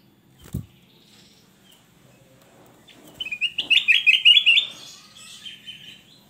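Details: Kutilang emas male in full song: a single dull thump, then a lively run of fast, bright whistled notes stepping up and down for about two seconds before trailing into softer notes.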